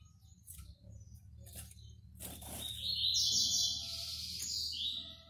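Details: Fulvo (fawn) double-collared seedeater, a captive bird kept by an amateur breeder in Brazil: a short song phrase with a sustained, buzzy high note and a fine trill. Low hum and faint clicks are heard underneath.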